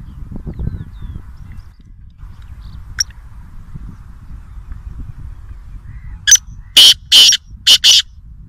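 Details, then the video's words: Black francolin (kala teeter) recorded at Nawabshah, Pakistan: low rumbling background noise and a single sharp tick, then a rapid burst of five harsh, high-pitched rasping notes near the end. "Kala Teeter | High Pitched Chirping Sound Voice | Francolin | Black Partridge"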